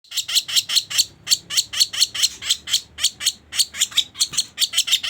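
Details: Sooty-headed bulbul, a lure recording used for trapping birds: loud, harsh, buzzy chips repeated about three times a second in a steady run, with faint low hum beneath.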